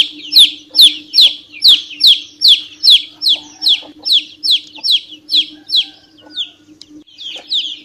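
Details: Young chicken cheeping, sharp falling peeps about twice a second, loud and regular at first, then softer and more scattered, with a faint constant hum underneath.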